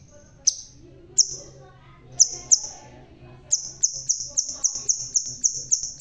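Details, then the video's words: Red-tailed crimson sunbird, bald but singing strongly: a few isolated piercing high notes, then a steady, rapid series of sharp thin chips at roughly four to five per second. "Burung Sepah Raja Ekor Merah.. Biar Botak Tapi Tetap Gacorrrrr.."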